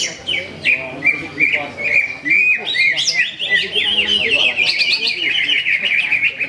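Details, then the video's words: Competition greater green leafbird, first-place winner at a Ramadan practice bird contest in Sungai Batang, Jawai, delivering a fast stream of high, sharply rising and falling chirps and slurred whistles, packed tightly, with other contest birds audible underneath. "Aksi Cucak Ijo"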